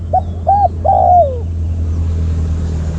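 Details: Spotted dove kept as a decoy for luring wild birds utters two short arched coos then one long sliding, downward croon, followed by steady low rumble.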